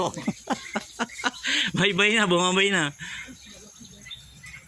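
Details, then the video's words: White parrot kept at an animal farm in Tagaytay, talking. A drawn-out, wavering voiced phrase follows short clicks and a person's voice saying hello and bye bye. "talking bird white parrot"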